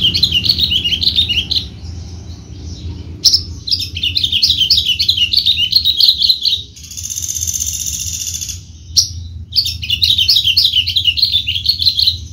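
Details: Horsfield's bushlark of the javanica type, a competition bird: rapid, repeated chirping phrases at a high pitch, delivered in bursts separated by short pauses, with a buzzy trill in the middle and low background hum throughout.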